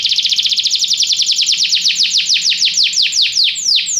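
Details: Canary song meant to stimulate a pet canary to sing, made of quick repeated descending whistled sweeps that start fast and slow down toward the end.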